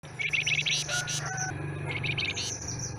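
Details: Newly acquired caged scarlet minivet with a stubby tail gives rapid, bright chirping notes in quick bursts, some sliding upward, over a steady low hum.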